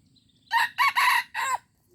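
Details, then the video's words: Aceh junglefowl, 25 April 2020, crowing loudly: four hoarse, clipped bursts, the second and third joined, the final one slightly drawn out and falling, above a faint low hum. "Ayam Hutan Aceh"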